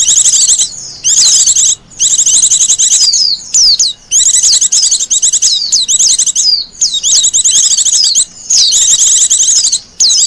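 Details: A wild Japanese white-eye sings energetically in repeated high, buzzy-trilled phrases with quick falling whistles and short pauses, a recording suited to luring birds and to master song.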